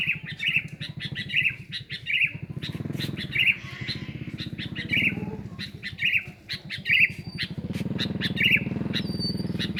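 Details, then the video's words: Sooty-headed bulbul recorded as a lure. Short rolling whistled phrases come about every 0.7 seconds over a steady low engine hum. "Pikat Kutilang gacor"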